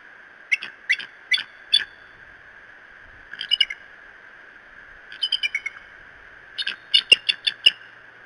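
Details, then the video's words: Bald eagle at the Decorah nest on 20 February 2017, giving a false alarm: bursts of three to five high, thin, chittering piping notes, repeated in four series, over a steady background hum. "Decorah Eagles false alarm 02 20 2017"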